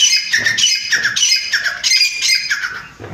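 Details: Home-bred grey francolin (chitta teetar) calling continuously: loud, raspy, strident notes repeated about three times a second, stopping abruptly near the end.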